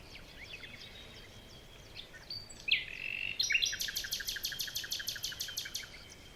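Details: Faint distant chirps in a morning forest give way to a loud, fast, steady trill of repeated sharp notes lasting about three seconds.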